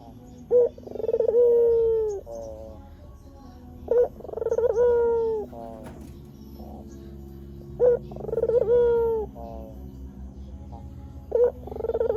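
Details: Lure recording of a white Barbary dove meant to make wild doves answer: four phrases, each a quick sharp note, rippling trill and sustained mellow coo, spaced roughly every three to four seconds.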